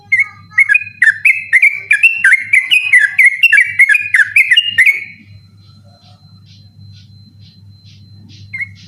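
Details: At night, a sooty-headed bulbul sings insistently as a tutor recording for contest birds; rapid run of clear whistled notes dipping and rising for five seconds, then near silence with one closing whistle, over a constant low hum.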